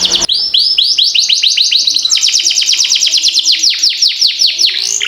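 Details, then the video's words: Canary with long rolling song used to train young birds: a near-continuous chain of high falling whistled notes, quickening into rapid repeated sweeps, then slowing to wider descending notes. "Masteran Kenari Gacor Ngerol Panjang"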